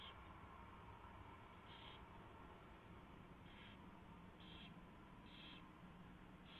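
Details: Owl at its nest during a mouse delivery and feeding, 4:21 AM on 24 February 2016: six short, hissing screech bursts, each about a third of a second, spaced irregularly over steady low background hum.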